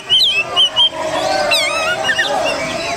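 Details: Kacer, or Oriental magpie-robin, a kept contest bird, in a lure recording: three clear, looping whistled notes in quick succession, then a jumble of twisting, rising and falling whistles over a soft background hum.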